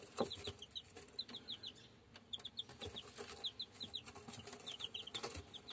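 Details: Shamo chicks of German stock peeping in short bursts of high, falling notes, steady through the recording, mixed with frequent clicks and rustling knocks.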